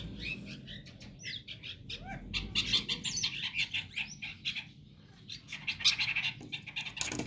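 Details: Early-morning chestnut-tailed starlings calling to each other: a dense run of high squeaky chirps, whistles and short upward-slurred notes, nearly continuous, over a faint low hum.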